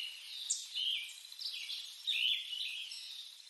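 Lettered aracari giving short, high, scratchy notes, a few bending downward, about every half second over a steady hiss of insects.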